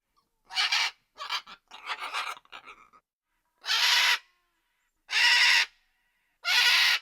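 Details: Macaw vocalising: a few short raspy notes and a quieter chattering stretch, then three long, loud, harsh squawks spaced about a second and a half apart.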